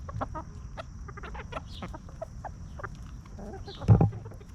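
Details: Hens roaming freely on a natural backyard farm, feeding and scratching in dirt, cluck calmly: a string of short clucks with one louder harsher call near the end, and low ambient rumble.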